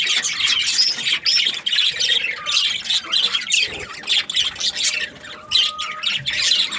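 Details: Budgerigar flock in breeding season, busy overlapping chirping and scratchy squawks that rise and fall in short surges, with a brief clearer whistled note near the end.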